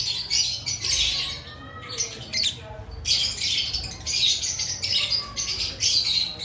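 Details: Before breeding season, aviary lovebirds keep up rapid harsh squawking and chattering, bursts following each other closely with brief gaps.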